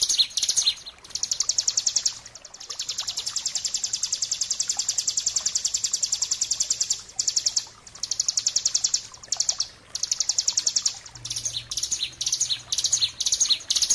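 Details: Bar-winged prinia in the rapid trilling 'ngebren' song style, played as training master for birds: a long, shrill, fast-pulsed buzzing trill held for several seconds, broken by brief pauses, then choppier chirped phrases at the end.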